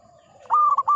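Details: Old local zebra dove in full song: one brief, bright rolling coo phrase of three quick pulses, steady in pitch, over a faint lower hum.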